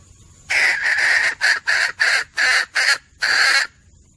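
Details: Female red junglefowl call, used as a hunting lure: harsh, broadband notes, a long opening burst followed by five short clipped bursts and a longer final one, over a quiet background.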